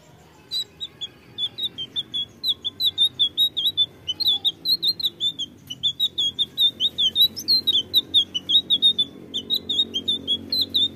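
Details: Lure recording of a blue flycatcher meant to make birds answer. Sparse opening notes build into a dense stream of quick, high, twittering phrases repeated several times a second, with a faint low drone underneath.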